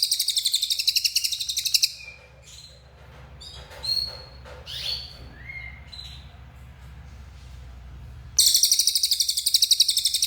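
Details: Cililin bird in active song: a shrill pulsed trill, then several seconds of soft, scattered thin whistles and chirps, and finally the loud rapid buzzy trill returning.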